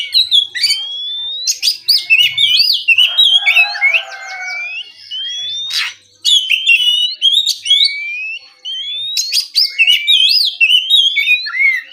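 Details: Relaxed ngeplong morning song of an oriental magpie-robin: a continuous stream of slurred whistles and looping notes punctuated by crisp clicks, with one short pause midway before the varied phrases resume.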